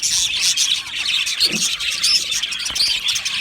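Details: Colony of Australian budgerigars in an aviary, many birds chirping and warbling together in a steady high-pitched chatter, with short squeaky notes popping out of the busy background.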